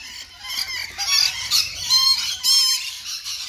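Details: Rainbow lorikeets eating apple, a few birds together, producing raspy, buzzy screeches in repeated half-second bursts with short pauses, harsh and high-pitched throughout.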